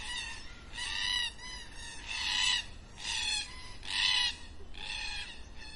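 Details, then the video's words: Black cockatoos at dusk give harsh, drawn-out, wailing calls, roughly one each second, with a faint outdoor background. "Black Cockatoos at Dusk"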